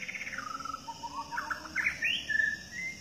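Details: White-rumped shama, a Medan-type bird, singing in the wild in forest: melodious varied phrases of whistled slurs and rising notes around mid-high pitch, with faint insect hum in the background.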